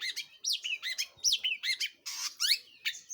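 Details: Long-tailed shrike singing actively with loud, high notes that swoop downward in quick succession, one harsh buzzy burst midway, and bright chirps resuming after it.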